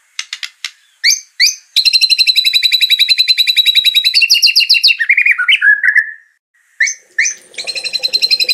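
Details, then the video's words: Oriental magpie-robin, a champion bird used for song training, gives scattered clicks, then a long rapid rattling trill with layered overtones, sliding into lower warbled whistles before clicking resumes. "MASTERAN MATERI MEWAH MURAI JUARA & TROTOL JAHAT"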